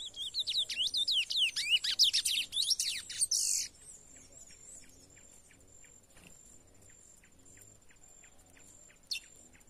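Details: Young chestnut-bellied seed finch singing in the bush, still warming up before training: about three seconds of rich, fast whistled warbling, followed by faint ticking notes and a thin steady tone.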